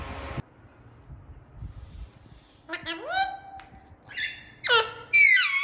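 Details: Talking Indian ringneck parakeet giving natural calls: after a short burst of human speech and a quiet gap, a series of rising, ringing harmonic notes builds into loud, harsh, descending squawks at the end.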